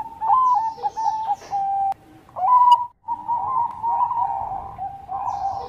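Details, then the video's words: Zebra dove of the Bangkok type singing vigorously: soft mellow coos with short stuttering notes, a brief pause near the middle, then a long, steady, purring trill that runs to the end. "Perkutut Bangkok Gacor Bikin Lawan Langsung Nyaut Bunyi"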